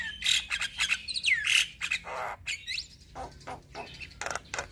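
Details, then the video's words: Black-winged starling song serving as a lure for reluctant captive singers: harsh squawking bursts mixed with sweeping slurred whistles and irregular chattering notes. "Terapi Jalak Kebo Malas Bunyi / Jalak Kebo Stres Gak Mau Bunyi - Pancingan Burung Jalak Gacor"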